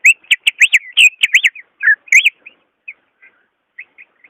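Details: Greater green leafbird singing, used to prompt a leafbird that is slow to sing: rapid, bright, looping whistles repeated in a quick series, a brief buzzy slur, then spaced single soft whistled notes over a quiet background.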